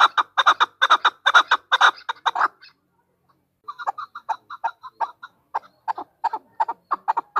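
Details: A female chukar partridge gives loud rapid chuck notes, pauses for about a second of silence, then resumes with quieter, clipped, irregular clucks.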